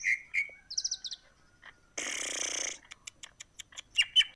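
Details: Greater green leafbird, whose song is said to stir other birds to breed: clear whistles, a quick trill of high notes, a long harsh hiss, then sharp ticks and bright whistles.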